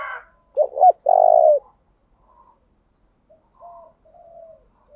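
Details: Decoy spotted dove changing its song continuously to get wild doves to answer: a brief sound at the start, then two quick sharp notes and a long, loud, vibrating coo, trailing off into faint, soft murmurs.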